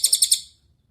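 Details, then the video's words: Cililin master song for training other songbirds: four quick, sharp, high chirps in even succession, fading out within half a second. "MASTERAN CILILIN GACOR – Suara Jernih Untuk Murai Batu, Cucak Ijo, Kacer"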